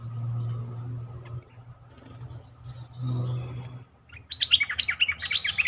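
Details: Decoy streak-eared bulbul calling to lure wild birds. Low rumbling background noise gives way to a lively series of loud, quickly repeated chirping notes over the final seconds. A high insect drone continues throughout.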